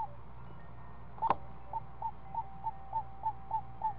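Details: Seven-day-old screech owl chick in its nest as a parent feeds it. A sharp click comes first, then evenly spaced short chirping notes, roughly three each second, over a constant low background drone.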